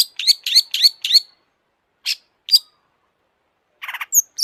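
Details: Long-tailed shrike, a lively singing cendet in full excited mood. A run of five quick harsh chattering notes comes first, then a pause and two sharp single notes. The song ends in a buzzy burst followed by thin high whistles, with no other sounds.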